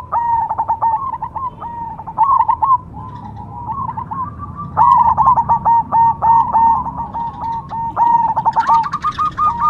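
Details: Cemani zebra dove singing rapid, regular series of short coo notes at a steady pitch, forming stuttering, trill-like phrases with brief quieter gaps, about three notes a second.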